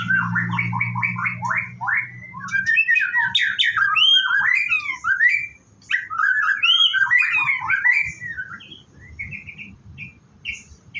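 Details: Morning song of a white-rumped shama kept at a bird farm before bathing: loud, varied whistles and rapid chattering notes in quick bursts, sweeping up and down, with brief pauses and a low hum early on.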